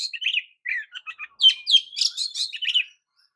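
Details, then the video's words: Oriental magpie-robin song meant to make other magpie-robins emotional: soft scratchy twitters opening into louder, dense high warbling with clear whistled strands, ending abruptly. "JENIS KICAU KACER TERAMPUH JADIKAN KACER AMAPAT LANGSUNG TERPIKAT EMOSI!"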